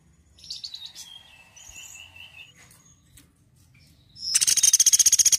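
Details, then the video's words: Woodpecker in a songbird tutor recording: several seconds of soft chirps and trilled whistles from other birds, then a sudden loud, high rattle of rapid, regular pulses continuing to the end. "MASTERAN BURUNG PELATUK GACOR"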